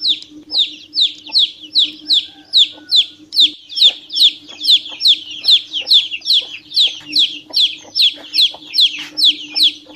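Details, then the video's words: Young chicken peeping a lot: some two dozen sharp, high, downslurred peeps pour out in a fast, steady stream, about two to three each second, over a quiet background drone. "PINTINHO PIANDO MUITO - SOM DE PINTINHO VERDADEIRO"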